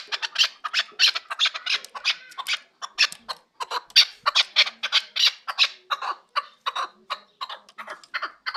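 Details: In Kabodiyon district a Chukar partridge calls with harsh, scratchy chattering notes, roughly ninety a minute in an uneven rhythm, loud bursts alternating with short pauses, over an otherwise quiet background.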